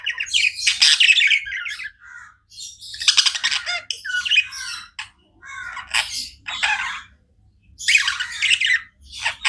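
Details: Nonstop chatter from pet budgies: loud, harsh warbled phrases and raspy squawks arrive in bursts of one to two seconds, split by short silences.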